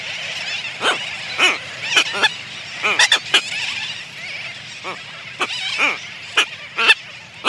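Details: A red-tailed tropicbird pair on their nest give close-up greeting calls, harsh ratchety squawks in short bursts every second or so, within a sooty tern colony whose constant din fills the background.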